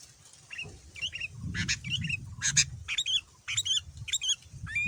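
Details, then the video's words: Sooty-headed bulbul male lure song meant to get other bulbuls answering. Several short squeaky, bubbly phrases follow each other closely over a steady low rumbling background. "Kutilang Super Gacor Full Isian Mahal, Semua Burung Kutilang Ikut Nyaut dengan pancingan ini"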